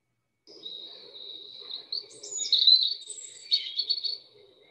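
A European Robin sings a wistful, wavering run of thin, high warbled phrases with brief sweeping notes, over a faint low hum.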